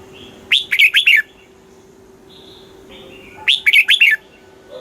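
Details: Southern master-style song of a red-whiskered bulbul, Thailand, used to stir caged birds and tutor young ones: two rapid, bubbly phrases of four rising-falling notes about three seconds apart, with faint softer chirps between.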